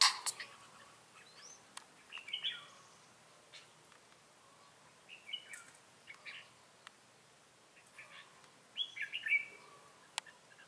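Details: Red-whiskered bulbul decoy singing in Ché style at a trapping site in Bình Phước, Vietnam, 25 June 2018: three brief, slurred whistled phrases separated by pauses of about three seconds, with occasional ticks.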